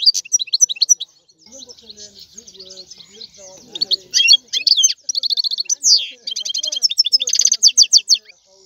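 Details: Goldfinch song of quick tinkling twitters and trills, a softer stretch of low murmuring notes in the middle, then dense repeated chips and a buzzy rising phrase toward the close.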